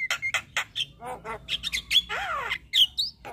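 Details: Javan myna, white-eyed form, singing a full fill-in song while head-bobbing: harsh squawking bursts and buzzy notes in quick uneven succession, a clear whistle near two seconds, then a long descending rasp and a final high squeal.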